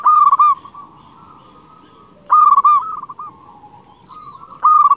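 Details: Lure recording of a local zebra dove: loud rolling coo phrases recur about every two and a quarter seconds. Each phrase starts with a clipped, stuttering burst and fades into softer, level coos.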